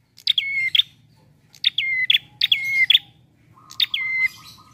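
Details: Prinia giving relaxed song for use as a trapping lure: four phrases, each a sharp click dropping into a level whistle and ending in a chip, with a faint steady tone after the last phrase.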